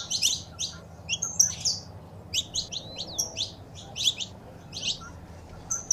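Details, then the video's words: Saffron finch (canário-da-terra), female calls mixed with male song, played to encourage a pet bird to sing. Bright high chirps and short slurred whistles in loose, uneven groups over steady low background hum. "Piado de Fêmea e o Macho Cantando"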